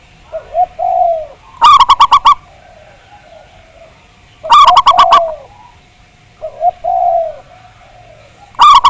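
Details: Local Javanese zebra dove singing on a lure recording meant to make other doves sing. Low, wavering coos alternate with bursts of fast, sharp, stuttering notes, roughly every three seconds.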